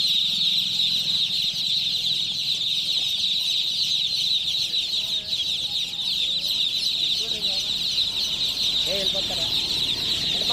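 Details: Flock of chicken chicks chirping nonstop for ten seconds, a thick layer of rapid high-pitched peeps, with a little faint background murmuring toward the end.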